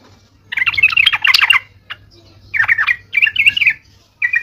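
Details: Sooty-headed bulbul song used as a lure: bursts of bubbly, chattering warbles around mid-high pitch, three phrases in quick succession with a brief fragment at the end, over a faint low hum.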